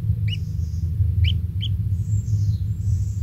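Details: Kingfisher chick at its nest, being fed insects by the parent, gives three short bright upslurred chirps, followed by thin drawn-out high whistles over a loud low rumble.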